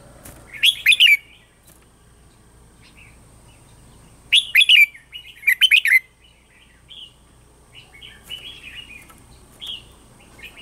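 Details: A red-whiskered bulbul sings in the morning, short, bright, bubbling phrases with soft chirps between louder bursts, used to train other bulbuls to sing.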